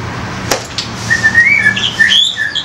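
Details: Young forest White-rumped shama, loud 'koar' singing used to provoke other birds: a short run of clear whistled notes that rise and fall, with a few higher sharp notes near the end over low background hum.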